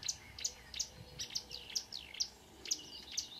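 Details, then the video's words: Marsh warbler singing at 5 a.m. on 2 June 2009 near Ski, Norway: sharp high clicking notes about every half second interleaved with rapid twittering and slurred whistles, a lively mimicking medley. "The song of a *Acrocephalus palustris* Myrsanger / Marsh Warbler"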